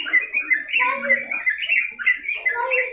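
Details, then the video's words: Trucukan, or Sooty-headed bulbul, in loud, lively song from a long tutor recording: clear, ringing whistles and quick slurred chirps tumbling one after another with steady, pulsing emphasis. "masteran burung trucukan gacor ngedur durasi panjang"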